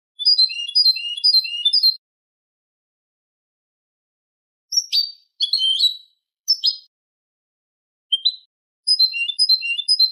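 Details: Malaga copla song of a Eurasian goldfinch used to tutor goldfinch and hybrid chicks: fast, liquid tinkling trills, then a pause, then several clipped twittering phrases and sharp notes, ending on renewed rapid trilling, all clean and quiet behind.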